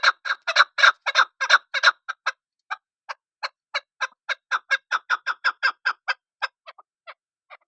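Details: Chukar partridge calling: a fast run of loud, harsh clucking notes that gradually slows and fades into spaced single chuck notes, with no other sounds.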